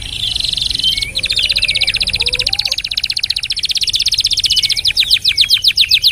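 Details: Canary delivering a long rolling trill, a tutor song for training other birds: one buzzy high tone, then a rapid, even, rattling roll of several seconds breaking into crisp separate chips; a faint lower chirping sits underneath.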